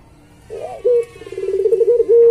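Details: Barbary dove of the puter pelung type, a master track for training. After a quiet start, a bent note and a short hoot lead into a rapid bubbling roll ending in a steady tone.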